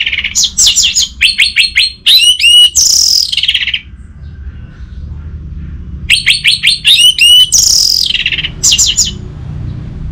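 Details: Orange-headed thrush, caged bird in Bali, singing fast runs of rapidly repeated sharp notes followed by swooping whistled flourishes, the pattern repeating after a pause, over a low hum.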